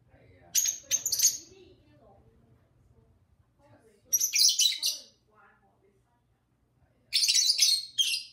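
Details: Two pet lovebirds chattering and singing with their owner indoors: bursts of harsh, buzzy, high chirping and squeaks about a second long, coming roughly every three seconds, with quiet gaps and a person's voice nearby.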